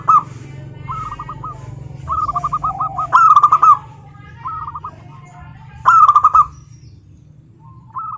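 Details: Local zebra doves trade short trilled coo phrases of quick looping notes at one pitch. A near bird gives two loud bursts between fainter replies, with a soft low rumble early on.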